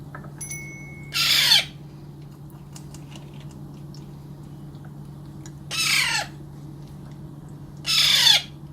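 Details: Hand-fed Alexandrine parakeet chick begging: three loud rasping squawks, each about half a second long with a downward slurred ending, spaced several seconds apart over a constant electrical hum.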